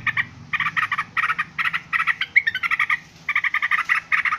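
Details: Yellow-vented bulbul noisy calls, with clusters of three to five quick, bubbly chattering notes repeated almost every half second and a brief pause midway.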